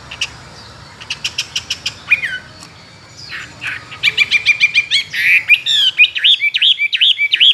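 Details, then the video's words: Caged, trained Chinese hwamei two years in captivity, a fighting-song bird, singing many wild-type phrases: rapid series of sharp clicking notes, then a loud run of repeated rising and falling whistled notes, varied and fast, over faint background hiss. "Họa mi thuần nhiều giọng rừng,chim đấu hót tốt"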